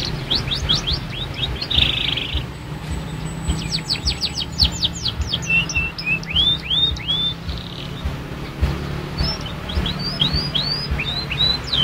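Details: Young canary learning to sing, delivering scattered whistled sweeps, a brief buzzy burst, rapid trill, and upturned chirps with pauses between phrases, over low background hum.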